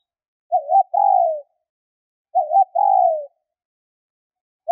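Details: Female spotted dove calling to stimulate males: a short wavering double coo followed by a longer, smooth, slightly falling coo. The phrase is given twice about two seconds apart, with no other sounds.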